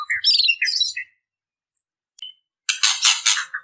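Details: A female white-rumped shama calls to attract males. A quick run of high chirps and twittering notes is followed by a pause, then a dense burst of harsh, buzzy chatter.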